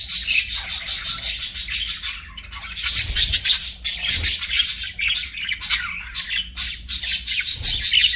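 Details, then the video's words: Budgerigars kept as pets sing a loud, busy chatter: fast rattling pulses at first, then irregular squeaky chirps and scratchy warbles, with occasional soft knocks in the background. "BUDGIES SINGING & CHIRPING"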